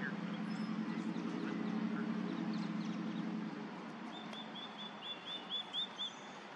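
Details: Female osprey at her nest on 15 April 2021, giving a late series of about seven short, high, whistled chirps in quick succession, some slightly rising, after a low steady rumble that fills the first four seconds.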